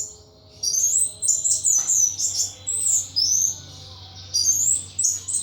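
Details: Captive pet thrush singing intensely: a run of high, thin whistled and warbled notes in quick series, pausing briefly before resuming, with steady low background hum.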